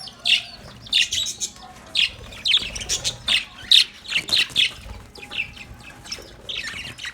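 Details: Pet budgerigars playing in their cage give separate bright, sharp chirps and short squeaky notes in spaced bursts, with quieter pauses between them and faint rustling.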